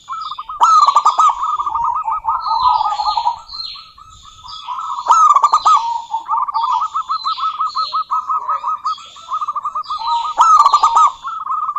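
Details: Rolling, trilled coos from a female local zebra dove calling out to a rival. Phrases start with an abrupt loud note and ripple on steadily, several times over. Scattered high, descending chirps from other birds are heard.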